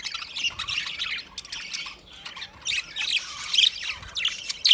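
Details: Budgie parrots calling in short overlapping bursts of bright, scratchy chirps and squawks, broken by brief quieter gaps roughly every second.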